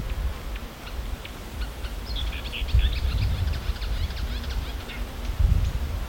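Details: Mimicking marsh warbler singing a quick jumble of scratchy chirps and short whistled notes in the middle of the stretch, softer at the start and end, against heavy low rumbling noise.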